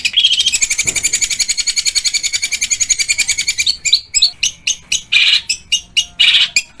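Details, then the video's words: Training recording of a long-tailed shrike singing in the rough 'tembakan kasar' style: a rapid, even trill of scratchy high notes, then it breaks into separate harsh chattering bursts about twice a second. "MASTERAN PENTET FULL TEMBAKAN KASAR GEREJA TARUNG_TENGKEK BUTO_KUNTI"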